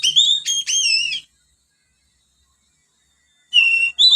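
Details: Young Oriental magpie-robin practicing ngriwik sparrow imitation: a quick run of bright warbled whistles, then about two seconds of silence, then two more clear whistled notes, one level and one slightly rising.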